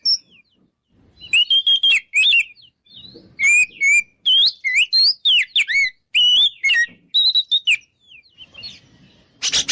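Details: Ngeplong-style song of an Oriental magpie-robin, used as a lure to provoke rival birds to fight: varied whistles, slurred upsweeps and down-slurs in lively bursts, ending in a short noisy rasp.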